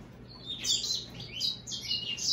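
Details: Short phrase from an American goldfinch crossed with a European greenfinch: a few quick, high, slurred twittering notes in close succession, with a faint low hum behind.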